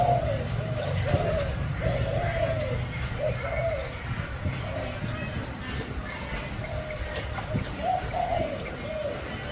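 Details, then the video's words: Spotted dove, a caged bird, coos in a steady run of short, low, soft notes with a slight rise and fall, over a strong low hum, faint music and voices. "Cu gáy bông hoa đen"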